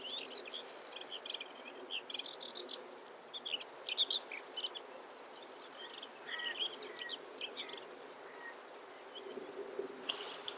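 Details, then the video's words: Singing grasshopper warbler delivers a long, monotonous, very high reeling trill, pausing briefly near the start and then running on without a break, while other birds add scattered chirps and twitters underneath. "Grasshopper Warbler and its song"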